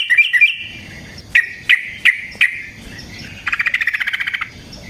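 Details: Yellow-vented bulbul in lively, fighting-style long rolling song used as a lure for other bulbuls: a few bright chattering notes, then sharp separate chips, ending in a fast buzzy trill of about a dozen even beats.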